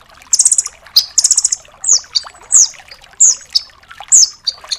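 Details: Velvet-fronted nuthatch (rambatan paruh merah), Doraemon style, in a full training-song recording for other songbirds. Very high, buzzy bursts and stuttering trills in short phrases, roughly twice a second, with clean pauses between them.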